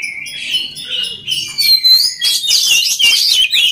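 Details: Oriental magpie-robin song used to train other magpie-robins to sing: dense high whistles and rapid chattering notes, growing louder and busier in the second half, with faint low sounds early on.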